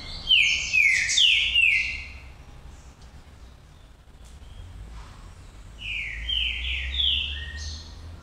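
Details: Green-winged saltator, the bird Pantera Negra, giving a burst of sharp descending whistles, falling silent for about three seconds, then repeating a similar phrase of slurred notes; faint low rumble behind.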